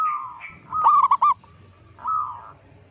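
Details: Local zebra dove, loud-voiced, its call meant to panic other zebra doves: a descending coo, a tight burst of three or four clipped hooked notes, then another drawn-out coo over a low background hum.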